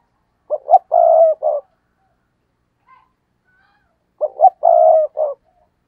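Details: Caged decoy spotted dove pushing out its stammering coo to excite rival birds. It gives two matching phrases about four seconds apart, each two short stuttered notes, a long hollow coo and a brief closing note, on an otherwise silent background.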